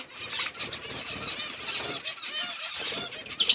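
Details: Eating budgerigars, October 29, 2023: softer, more distant warbling chatter of thin chirps and buzzy notes runs throughout, ending in a sudden louder sharp squeak.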